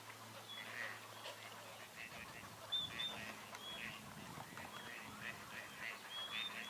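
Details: Hybrid cinnamon teal × northern shoveler duck that returns each year to RSPB Leighton Moss gives rough, nasal quacking notes in uneven bursts, with thin high whistles from other birds and a steady low hum.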